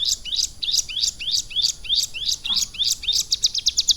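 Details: Caged ciblek gunung (prinia) trained for about three months to mimic lovebird song: a brisk series of high, sharply falling chirps, about three per second, speeding into a rapid buzzy trill at the end.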